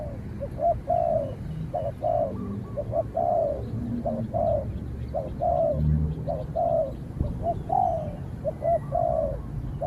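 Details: Spotted dove in a training session against a wild rival that keeps its distance and is finally driven off; soft cooing phrases of short and drawn-out notes repeat steadily, with low background rumble.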